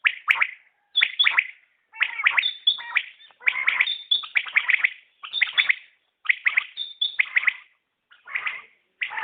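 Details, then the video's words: Common quail giving dense, rapid runs of clipped triple-note phrases, one after another with short gaps, bright and high, no other sounds audible. "Batair Ki Awaz | Common Quail Calling"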